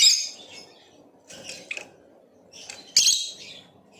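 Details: Lovebird of the Blue Opaline colour chirping: a loud shrill note, a few softer clipped chirps, then another sharp harsh chirp over low background noise.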